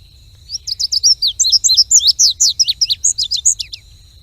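An Indigo Bunting sings a quick, three-second run of high, sweet, slurred notes, many given in pairs, over a faint steady high-pitched hum.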